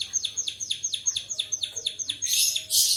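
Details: White-headed munia giving canary-imitating song: rapid series of sharp downward-sweeping chirps, roughly two per second, ending in harsh buzzy high-pitched bursts.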